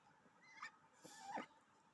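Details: Duck at home after bathing, uttering two soft honking calls, a short one followed by a longer, drawn-out nasal note, against low room hiss.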